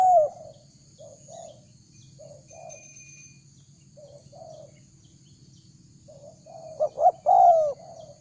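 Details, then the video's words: Spotted dove calling to lure wild doves: soft, mellow paired coos spaced a second or so apart, swelling near the end into a louder burst of quick coos and a long croo, with a faint low hum and high hiss throughout. "Chim cu gáy chiêu kích mồi tập bổi nhanh nổi hiệu quả"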